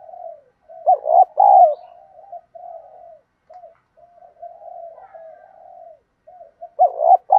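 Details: Lure coo of a spotted dove, thổ đồng style, for training new birds: a loud double coo, then many quiet hollow murmurs, ending with another strong, rolling coo burst.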